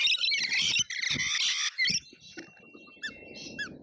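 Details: Lorikeets feeding at an Australian feeder: a dense burst of harsh overlapping screeches, then quieter scattered chirps and a thin steady whistle-like tone.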